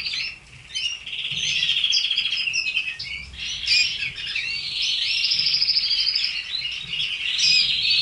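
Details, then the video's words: Red canaries, kept in a cage, giving a varied high song of chirps, trills and a long buzzy rolling phrase, building in loudness after a quiet start. "Canary sings"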